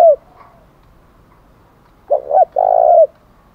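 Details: A single 'thổ đồng' style challenge phrase from a spotted dove, calling to incite a fight. It starts with the end of a previous coo, then a pause, then two short notes and a long, level coo sliding down at its finish.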